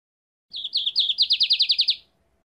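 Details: Lined seedeater singing one clean phrase: short sharp opening notes, then a rapid string of about nine bright, downslurred whistles in a tight trill, ending abruptly, with no other sounds.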